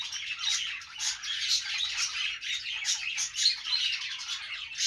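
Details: Budgies chatter happily in a lively, overlapping stream of squeaky chirps and rasping warbles, with a few sharper high notes standing out.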